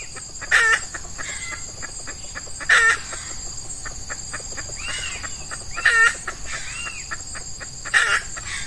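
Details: Red junglefowl heard while a female decoy lures wild males, early morning in hot Ramadan weather, males in breeding mood. Four brief bright calls come at uneven intervals of two to three seconds over a constant shrill insect hum.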